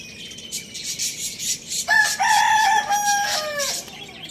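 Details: Lohmann Brown rooster kept as a pet alongside hens, chicks and budgies, crowing loudly in the morning: one drawn-out, harmonic crow lasting nearly two seconds, rising then holding level, with steady budgie chirping and chatter behind it.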